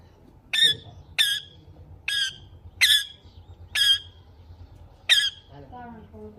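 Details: Green parrot kept as a pet. Harsh, loud squawks come singly about every second, six in a row, each a short burst with a ringing top, followed by a softer warbled note.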